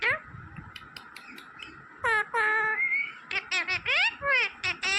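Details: Pet green parrot speaking in a human-like manner after a soft pause, producing flat nasal syllables, a rising whistle, then a fast series of short chattering words.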